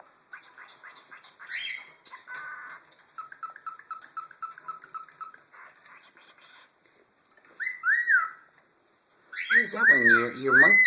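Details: Pet cockatiel calling to sibling cockatiels from another clutch while urged to imitate a cricket and a monkey: a run of chirpy, whistled mimicry notes ending in loud rising-falling whistles, with the parent birds chirping in the background.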